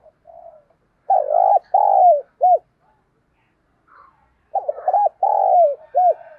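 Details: Spotted dove kept as a decoy bird, cooing excitedly: two bursts of loud, low, arched coo notes, each a quick stutter followed by two longer hollow coos and a short final note, separated by a long silent pause.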